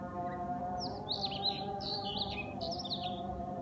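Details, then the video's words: Bird singing at dawn during the Fajr prayer: quick high warbled phrases of rising and falling twittery notes, delivered in bursts over a steady, sustained droning voice with layered tones. "Beautiful #Bird #singing During Fajar Salah"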